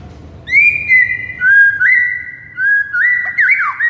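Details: White-rumped shama, a bird said to go from silent to excited on hearing morning tutor recordings: long pure whistles held level, joined by quick upward slurs, then a brief twisting flourish near the end, in quiet surroundings.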